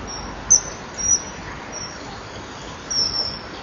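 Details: Common kingfisher at a nest-wall camera, 26 January 2012 at 09:52, while a female drives the male off the perch where he was fishing; a few thin, shrill high whistles, some doubled, over steady background hiss.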